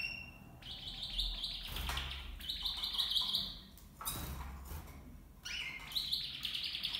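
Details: Copper mosaic canary in a flight cage housing two males and two females, delivering bursts of high rolling trills broken by pauses, with thumps and cage knocks between phrases.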